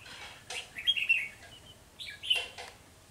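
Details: Red-whiskered bulbul decoy singing during early-season trapping, 3 November 2020: two bursts of clear whistled notes, the first a quick cluster and the second a single phrase, with sharp rustling clicks alongside.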